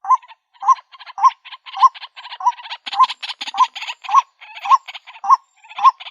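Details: Female white-breasted waterhen calling for a mate: a steady series of short hooked notes, about one each half second, mixed with rough, croaking bursts that grow denser and louder in the middle.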